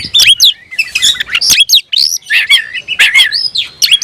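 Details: Oriental magpie-robin (kacer), a cage bird, in full song with open tail to challenge a rival: dense, loud phrases of slurred whistles, rising sweeps and harsh chirps with almost no pause.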